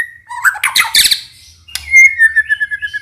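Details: White-rumped shama song played to prompt young speckled birds to sing: a rough rattling burst followed by a long clear whistle holding steady, then gently falling.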